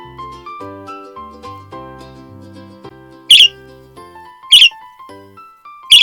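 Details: A young green male budgerigar, in his first week in a new home and still getting used to it, gives three short, sharp, high chirps about a second apart, among his first sounds, over gentle background music.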